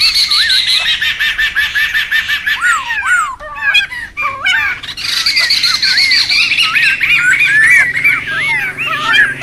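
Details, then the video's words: Laughingthrushes in a noisy wild group, recorded for luring and tutoring birds: dense overlapping chatter of looping whistled notes and harsh squawks, several birds calling at once without pause. "SUARA PIKAT DAN MASTERAN SEMUA BURUNG POKSAY RIBUT ALAM LIAR"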